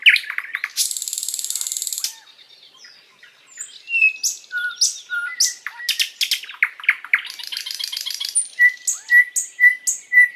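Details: Sikatan londo, a flycatcher, in a long, lively master song for tutoring other birds: varied bright chips, a harsh buzzy rattle near the start, clear whistled notes, and a run of repeated sharp notes toward the end.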